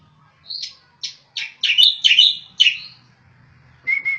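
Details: Striated grassbird of the Javan race, a training recording of its rapid-fire tembakan song style: a string of bright, quick chattering notes that grows denser in the middle, followed by a short pause and two thin, steady whistles.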